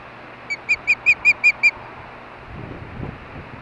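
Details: Hellgate, Montana osprey nest in the evening during mating; seven piping whistled notes rising in loudness, evenly spaced, followed by soft low rustling.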